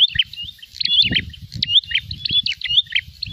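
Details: Prinia, said to be fighting and looking for a rival, gives quick high chirps and thin whistled slurs in uneven bursts, over a steady low thumping background noise.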